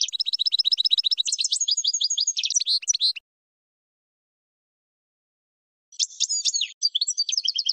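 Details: European goldfinch song used for training birds: long run of fast, high liquid twittering and trills for three seconds, a pause, then more bright chattering phrases; no other sounds.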